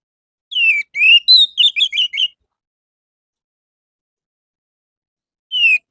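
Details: Orange-headed thrush singing, used as a morning lure for captive birds: a fast phrase of slurred whistles followed by quick rising-falling warbled notes, then silence and one more slurred whistle at the end.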